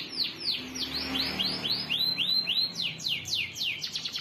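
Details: Canary performing a long song: a fast rolling series of downward-sweeping whistled notes, about three or four each second, over a soft background hum.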